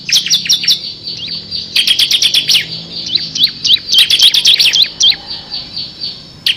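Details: Active bar-winged prinia singing 'ngebren' style with six variations, a tutor recording for training competition songbirds: rapid runs of high, sharp, downward-flicking notes, about four per second, in bursts separated by short pauses.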